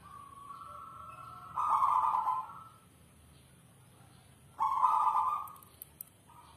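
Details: Manggung song of a captive South Sumatran endemic zebra dove (perkutut): two sustained, even, resonant coos roughly three seconds apart, with a quieter lead-in tone and a few faint clicks.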